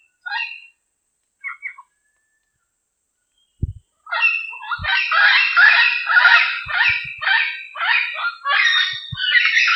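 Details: A diademed amazon in the wild gives a few short squawks, then a long run of harsh, raucous, rapidly repeated screeches. Occasional low knocks sound in between.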